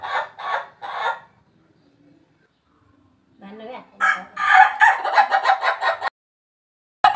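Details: Ayam ketawa, a laughing chicken breed from Indonesia whose crow sounds like human laughter: three quick pulsed bursts, a short quiet gap with faint low sounds, then a long run of rapid staccato laugh-like syllables.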